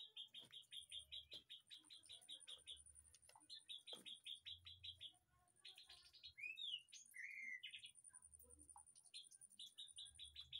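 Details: White-rumped shama in an aviary behind a house, repeated bursts of rapid stuttering high notes separated by pauses, with a few looping whistled phrases in the middle, and low hum beneath.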